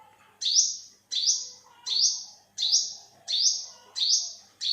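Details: Olive-backed sunbird recorded in 2021, giving sharp, high, upward-sweeping notes, about six in under five seconds, each note starting abruptly then fading, spaced nearly evenly. Faint lower chirps sit in the background.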